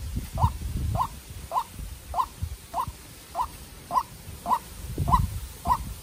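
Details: Captive-bred White-breasted waterhen decoy facing a wild waterhen: ten short mid-pitched notes at a little under two per second, with rustling and low thumps.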